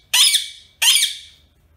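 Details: Pet Indian ring-necked parakeet kept indoors in a small room, letting out two harsh, high, grating screeches, each about half a second long and trailing off in loudness, separated by a brief pause.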